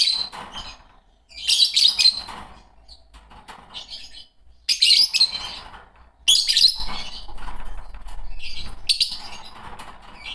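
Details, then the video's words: Green Fischer's lovebird pair chattering in harsh, buzzy bursts of shrill chirps, each burst about a second long, separated by brief quieter gaps with soft scratchy calls. "Lovebird singing & chirping sounds -Green Fischer Pair"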